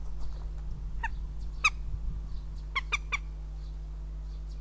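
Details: Northern goshawks in Riga on 9 April 2017 give short, harsh, nasal calls: two singles, then a quick run of three about a fifth of a second apart, over a steady low electrical hum.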